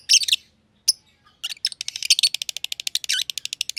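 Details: Green personata and green pied personata lovebirds in an aviary: a few isolated shrill chirps, then a fast, steady series of rapid, high, ticking chirps repeated several times a second.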